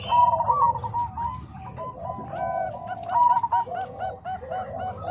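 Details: Bangkok and Cemani Kolbuntet zebra dove voices combined as training material: a clear, bright trill opens, then looser overlapping coo notes follow, and another bright trill returns after three seconds.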